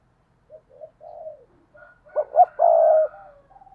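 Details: Decoy spotted dove calling in 2022 in the thúc style to lure others: soft low murmuring coos build into two sharp, rising notes and a loud sustained coo, then tail off into faint short notes.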